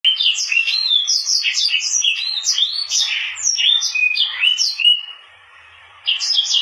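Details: Mozambique canary and canary hybrid singing a rapid, twittering warble of trills and chirps, with quick rising and falling notes, broken by a silent pause of about a second near the end before the song resumes.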